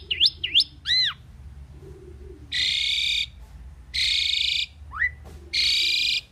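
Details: Common pied myna song: quick up-and-down whistles and a descending slurred note, then three long harsh grating bursts, each lasting over half a second, separated by a brief rising squeak.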